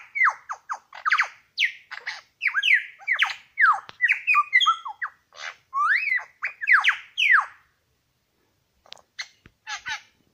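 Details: Male Superb Lyrebird at Lookout Point in New England National Park, one of two males present, pouring out a rapid jumble of sharp downslurred whistles, chips and harsh notes for seven seconds, then quiet with scattered clicks.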